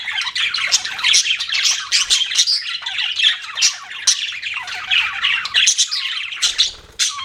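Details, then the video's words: Pet budgies giving a busy stream of scratchy chirps and squawky warbling notes, several birds overlapping with hardly a pause. "BUDGIES CHIRPING SOUND"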